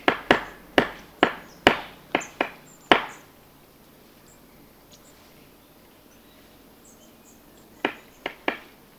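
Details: Great spotted woodpecker hammering apart a cone to get at the seeds: a quick run of about seven sharp, dry knocks, a pause of several seconds, then three more, with faint bird chips behind.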